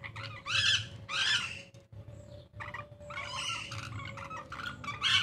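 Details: A pair of Taliabu lories gives harsh, rasping screeches in about five bursts over five seconds, with a steady electrical hum underneath.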